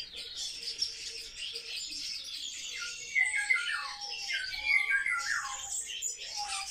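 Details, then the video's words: Social sparrows in captivity keep up a busy chatter of high chirps and harsh squawks, with clearer descending squeaky notes toward the end. "Воробьи - Sparrow"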